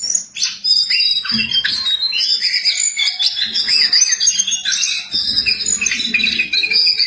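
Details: Jongkangan singing energetically: dense, continuous high warbling of chirps, trills and quick whistled slurs with barely a pause, plus faint low thuds.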